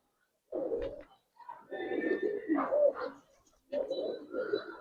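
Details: Silver Budapest highflyer pigeons kept in a loft, with low, throaty cooing in two rolling bursts separated by a short pause, indoors.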